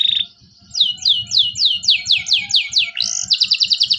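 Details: Local canary singing an energetic 'cuit cuit' song meant as a tutor for young canaries learning to sing: a brief tone, then a run of clear downslurred whistles about four per second, ending in a fast high trill over faint low ticking.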